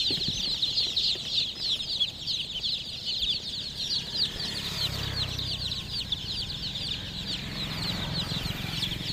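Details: Chicken chicks peeping nonstop, a flock's overlapping high falling chirps, with a low rumbling noise swelling briefly in the middle.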